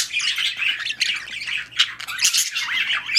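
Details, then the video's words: Mating budgerigars kept for breeding give dense, scratchy chatter with buzzy squawks and high chirps in continuous overlapping bursts. "Budgies / parakeets | Mating / Breeding"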